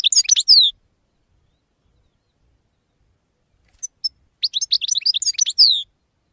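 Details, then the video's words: European goldfinch song, recorded in 2016: two bursts of rapid twittering, fast chirps and liquid descending notes high in pitch, separated by a few seconds of silence, with a couple of short clicks before the second phrase. "Cante De Jilguero"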